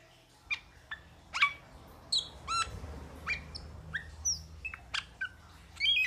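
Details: Metallic starling calling with sharp, high chirps and brief whistled slides over a steady low rumbling background noise.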